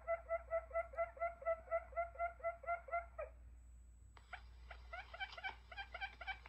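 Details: Buttonquail recording used as a trapping lure: a quick run of about a dozen hollow, even notes, roughly four a second, then after a pause a busier, higher chattering burst.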